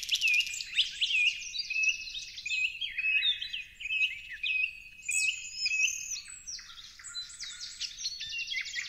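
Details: Parrots calling in a dense chorus: harsh, buzzy squawks mixed with short rising whistles and chirps, many birds overlapping continuously at high pitch, with no music or voices.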